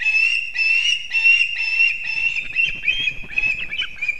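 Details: Latvian osprey at the nest in Kurzeme, early morning on 3 September 2024, as the father arrives carrying two fish for the young. A steady, piercing whistle pulses in evenly spaced notes, then gives way to rough, noisy chatter.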